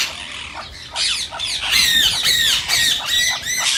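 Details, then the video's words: Green rose-ringed parakeet calls meant to prompt singing and mating in other parakeets: overlapping harsh screeches and shrill downward notes over a steady background hiss, growing louder after the first second. "صوت ببغاء الدرة الخضراء"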